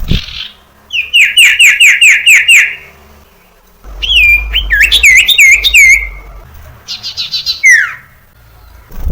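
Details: Common iora (sirtu cipoh), a prolific singer used as a lure to train young birds to sing: rapid series of repeated sharp whistled notes, then looping wavering whistles and a falling slur, with quiet gaps between phrases.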